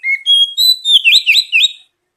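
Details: Oriental magpie-robin song played as a lure to prompt other birds to sing: clear, pure whistled notes at shifting pitches, followed by a run of four or five quick, rolling, buzzy warbles, then silence.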